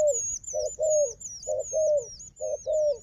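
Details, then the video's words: A fighting wild dove meets a strong decoy dove. Pairs of coos repeat, each a short note followed by a longer, falling one, while a bright, wavering high whistle from another bird sounds continuously above. "លលកព្រៃនេះខ្លាំងខាងជល់ ធ្នាក់ក៏ខ្លាំង"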